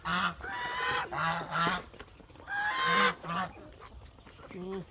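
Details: Domestic goose honking while protecting, giving loud nasal harmonic honks in uneven bursts, some rising then falling, with short gaps between groups of calls and softer honks near the end.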